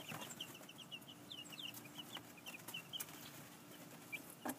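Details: Two-week-old chickens just moved to a temporary outdoor pen, unsure of the sudden space, giving soft high peeps in quick scattered series over a noisy background with occasional knocks.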